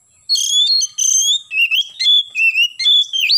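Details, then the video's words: Oriental magpie-robin in full morning song, gacor nembak style: loud pure whistled phrases, some long and level, others dipping and rising, strung together in a rapid series over a faint constant high tone. "KACER GACOR pagi hari nembak"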